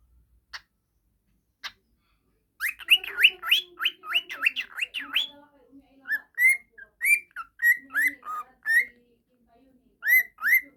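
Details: Pet budgerigar that plays with a child and whistles continuously, suited as a tutor recording: two faint clicks, then a fast run of clear up-and-down whistled sweeps and chirps, a soft low murmur underneath.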